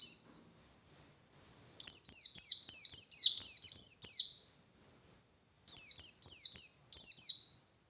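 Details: White-eye (pleci) singing a forceful 'ngalas' song that makes other white-eyes answer: soft scattered high notes, then dense trains of sharp descending chirps, a short lull, and a final rapid burst.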